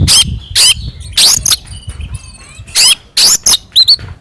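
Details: Fighting Oriental magpie-robin whose song is used as bait to excite others: harsh scratchy bursts broken by thin sustained high whistles and a pair of quick upslurred chirps.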